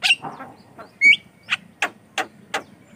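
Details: Javan myna (jalak kebo) singing, used as a lure for training other mynas: harsh broadband bursts mixed with one clear whistled note, repeated roughly every third of a second.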